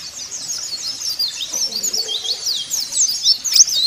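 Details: Caged white-eye singing, used to prompt other caged white-eyes to sing: a rapid, continuous run of high, thin chirps and quick up-and-down twittering notes, growing slightly louder toward the end.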